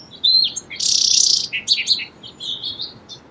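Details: Song sparrow song: a clear whistled opening note, a loud sustained buzz, then a string of lower, rounded chips and soft closing notes.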